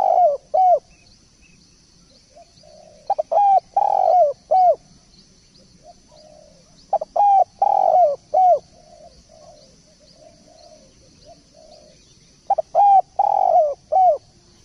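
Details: Spotted dove, singing actively (gacor) for a tutor recording, repeats its cooing phrase three times about every five seconds; each phrase is a cluster of short and longer arched coos, with soft quieter coos between.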